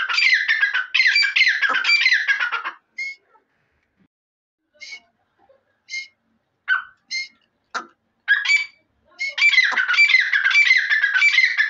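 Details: Dakhni teeter, the grey francolin, calls in long raspy bouts of fast repeated notes. Between the bouts comes a quieter stretch of scattered short squeaky notes and clicks, then the strident chatter resumes strongly.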